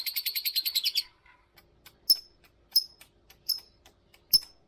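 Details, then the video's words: Lovebird ngetik ngekek song used to prompt other lovebirds to sing. A rapid, buzzy chattering trill of about ten notes opens, then five spaced, sharp, high chirps follow, with faint clicks between. "kicau lovebird pancingan lovebird ngetik ngekek"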